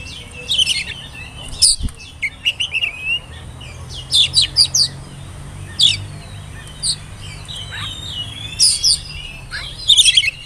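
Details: Whistling oriental magpie-robin, a spotted juvenile, used as a singing lure for young birds. It gives scattered bursts of sharp high chirps and short whistled notes, grouped in quick clusters with pauses between them, over a low constant hum.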